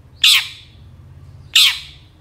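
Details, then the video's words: Harsh rasping squawks from a long-tailed shrike, a track meant to provoke lazy birds into singing: two strong broadband bursts about 1.3 seconds apart, each fading with a descending tail, over a steady low hum. "PANCINGAN CENDET MALAS BUNYI BAKALAN LANGSUNG NYAUT DAN IKUT GACOR DENGAN SUARA CENDET INI"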